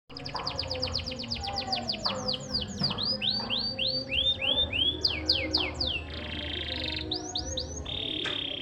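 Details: Canary singing a varied song: rapid high trills of sweeping notes, slower descending slurs, and steady buzzy rattles, with a low background hum throughout.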